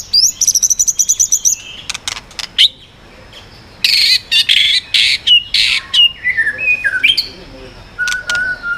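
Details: White-rumped shama song of the 'yến reo' style, switching voices to provoke birds: a fast buzzy rattle, harsh noisy bursts, then clear descending whistles and a long level closing note.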